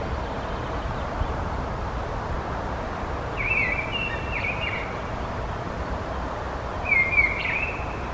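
A mistle thrush gives two dry, harsh rattling calls a few seconds apart over a steady roar of wind or distant traffic.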